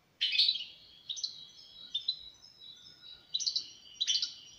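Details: European goldfinch uttering short twittering phrases with a few drawn-out whistled notes between them, over faint background noise.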